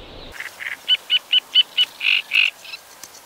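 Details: A Great Reed Warbler sings very loudly from high in a Dutch reedbed: a harsh, crackling run of about five sharp repeated units, then deeper croaking syllables, all delivered rapidly within two seconds.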